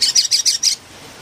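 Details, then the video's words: Philippine bulbul, known locally as pulanga, gives five rapid, harsh, rasping notes evenly spaced in under a second, then falls silent. "PULANGA ma ingay talaga(singing bird)"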